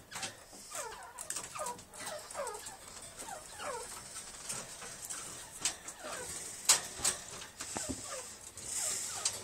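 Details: Kept black francolins of big and small breeds give thin, falling whistled notes, repeated in quick overlapping runs, over a steady hiss with scattered clicks and knocks.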